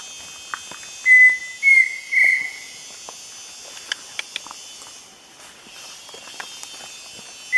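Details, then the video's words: Pheasant cuckoo singing along Pipeline Road, Gamboa region, Panama, at a forest edge. It gives three clear, level whistles, the third longer and quavering, over a steady insect hiss with faint clicks. "Pheasant Cuckoo singing"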